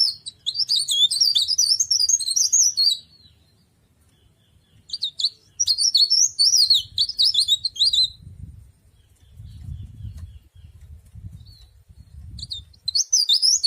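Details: Ornamental mountain leaf warbler giving bursts of thin, rapid, high twittering song, each about three seconds long, separated by short silences, with soft low thumping in the background.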